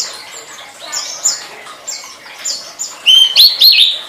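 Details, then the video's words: Tledekan song, a master recording for training songbirds: high, thin whistled chirps and short sliding notes, quiet at first, then louder rising-and-falling whistles in the last second. "Suara Burung Tledekan"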